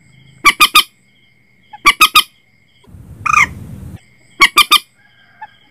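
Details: Common moorhen calls played as a lure for setting nets at night: loud, harsh, squawking notes in quick triplets, each triplet about two seconds apart, with one rougher noisy burst between them.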